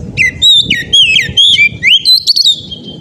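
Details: Oriental magpie-robin singing ngeplong style, intended to make other magpie-robins join in: a continuous string of loud clear whistles, sliding up and down, each note roughly a quarter second, with low rumble underneath.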